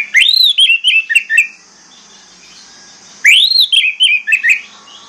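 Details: Orange-headed thrush song used to lure silent birds into singing: two matching phrases, each opening with a high rising whistle and tumbling into quick descending warbled notes, about three seconds apart.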